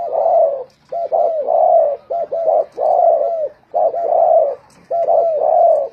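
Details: ['Spotted dove decoy bird singing in a competition: a steady, full-toned cooing phrase of a short double note, then a longer drawn coo, repeated about every second with brief gaps.']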